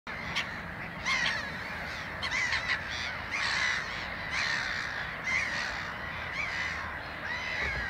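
Harsh, rasping, crow-like screeches from black-headed gulls, roughly once a second and overlapping from several birds, over a steady noisy background.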